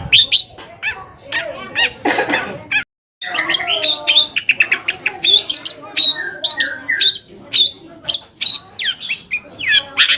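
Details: Lure song of a long-tailed shrike, aimed at stirring other shrikes to reply: a dense, chattering stream of harsh scratchy notes, clicks and quick whistled slurs, briefly broken by a short silent gap near the start.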